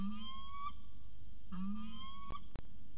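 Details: At CSU Orange on a January 2019 afternoon, peregrine falcons give two long, whining, gently rising wails a second apart, followed by two short clicks, with a constant low hum behind.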